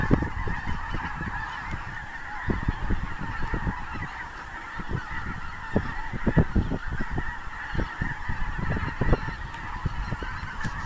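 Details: Snow geese on migration at Clinton Lake in central Illinois, recorded in a February blizzard: a sustained wall of shrill, nasal honking from a big flock, unbroken for eleven seconds, over intermittent low rumbles of wind buffeting.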